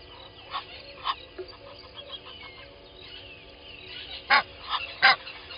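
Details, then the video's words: Egyptian goose pair at Gowrie dam waterhole, Djuma Game Reserve, Sabi Sand Wildtuin, South Africa, at 05:32; scattered faint calls early, then two loud harsh honks near the end, with other birds in the background. "Djuma: Egyptian Goose pair - 05:32 - 12/01/20"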